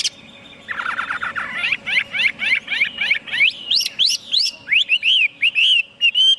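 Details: Chinese hwamei song opening with a fast buzzy trill, then repeated upward-sweeping whistles that climb higher, finishing with arched whistled notes; a steady faint hum lies underneath.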